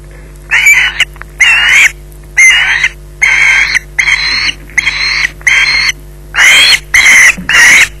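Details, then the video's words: Osprey at its nest at Loch Garten holding a fish after a 20:33 delivery, screeching: harsh, rasping squeals repeated roughly every 0.7 seconds in a steady series, over a constant low electrical hum. "Bynack screeching in possession"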